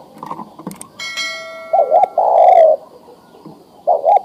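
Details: Mature male spotted dove calling for a female to mate, giving a double coo and a long level coo, then another double coo. A brief ringing metallic tone sounds just before.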